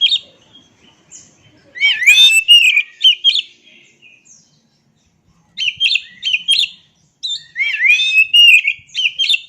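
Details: Oriental magpie-robin song used as a master recording to get quiet birds singing: bursts of rich whistled, twisting phrases with sharp chips, sung in three separate outpourings with short silent pauses between.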